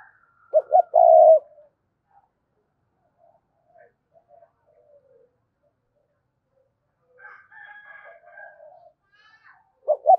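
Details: Lure spotted dove cooing gù hai hậu style to entice wild birds. A loud, deep, drawn coo is followed by long quiet, soft broken notes, and another short coo at the end.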